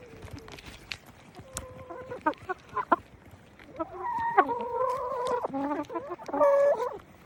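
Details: Chickens going about their business: drawn-out, nasal clucks and grumbling calls, some held and wavering, others short, rising in a busy chorus toward the end, with clicks and rustling throughout.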